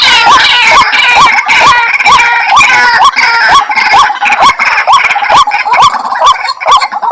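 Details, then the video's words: White-breasted waterhen lure call for attracting the bird: loud, harsh, croaking notes repeated steadily about twice a second, each with a short upward twist, recorded very loud and dense. "Suara Pikat Ruak Ruak , pemanggil ruak ruak"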